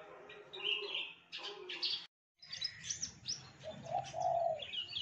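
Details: Javan bush lark mimicking other birds: jumbled high chirps and squeaky notes, a brief silence, then scratchy twitters and a lower, rounded whistled phrase.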